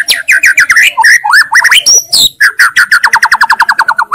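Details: White-rumped shama delivering a rapid, varied song: chattering whistled notes, swooping slurs, then a long fast series of evenly repeated chirps.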